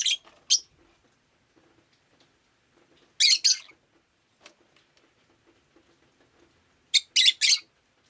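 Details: Pet rosy-faced lovebird indoors on a rainy day, giving sharp, high buzzy chirps in short bursts: two calls at the start, a double burst after three seconds, then a quick cluster of three near the end, with quiet gaps between.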